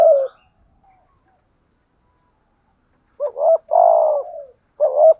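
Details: Decoy spotted dove cooing: a phrase cut short at the start, a long pause, then low two-note phrase with an extended falling coo and another short phrase.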